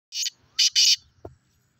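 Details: Black francolin giving three harsh, rasping, noisy bursts, one short then two longer in quick succession, followed by a faint low knock.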